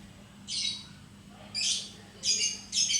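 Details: Pet lovebird giving four short, harsh high squawks at uneven intervals against quiet background hiss and a faint low hum; the owner wants it to sing the long ngekek song.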